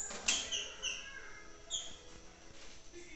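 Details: A male green-winged saltator, paired and excited around a female, gives a few clear, high whistled notes, some sliding downward, spaced irregularly over three seconds against faint background hiss.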